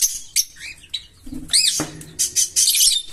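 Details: Green Fischer's lovebird pair chirping: scattered sharp, high chirps and short upslurred notes, with a louder burst of harsh, rapid chirping near the end.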